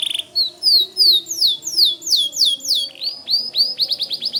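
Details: Loud white canary song of descending swept whistles repeated steadily, then turning into quicker rising chirps that speed up toward the end.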